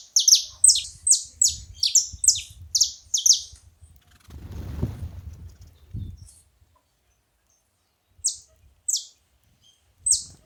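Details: Saffron finch calling while feeding, a quick string of loud, high, downward-sweeping chirps for three seconds, a brief rustling noise, then a few spaced single chirps near the end.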